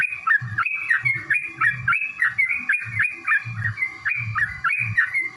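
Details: Yellow-vented bulbul in extended fighting song, used to provoke rival bulbuls to sing: dense, unbroken run of bubbly, warbled notes rising and falling in quick succession, about three per second, with low thumping noise and a steady hum beneath.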